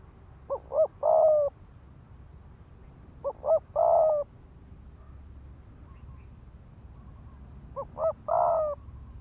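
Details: Spotted dove decoy cooing to provoke wild males to fight. Three spaced phrases, each a couple of short soft notes then a sustained coo, with longer silent gaps and light background hiss.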